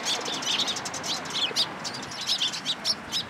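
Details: Sparrows flying into a cherry tree at a Tenmangu shrine, 24 March 2023. Busy overlapping high chirps and tweets come in quick bursts throughout, with several birds calling at once over a soft background hiss.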